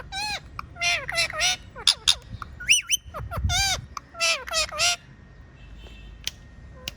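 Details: Pet talking parrot producing a lively burst of bright, bending whistles and harsh chattering squawks for about five seconds, then falling nearly silent with a couple of faint chirps near the end.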